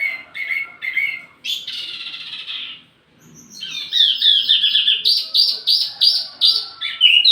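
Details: Wambi mini lure song: three short whistled notes, a long harsh buzzy note, a brief pause, then a fast chattering series of bright repeated chips.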